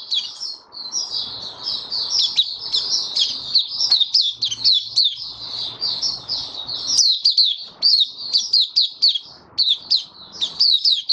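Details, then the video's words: A white-eye in its cage sings an opening song, recorded 23 March 2022 during warm humid weather: long, dense bursts of high twittering notes, rising in intensity, then sharp clipped chirps at the end, over low background noise. "Mata Puteh Kitaro Video 1 buka sing"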